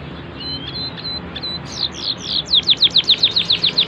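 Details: Canary with fine song phrasing, used as a tutor recording for young birds: a faint thin whistle, then a series of bright high downslurred notes gathering into a quick, loud, evenly repeated trill.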